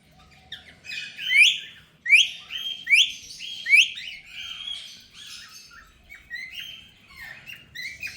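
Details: A ringneck parrot in India gives a run of bright, sharp chirps and rising squeaky notes, roughly one every second, with softer chatter between them.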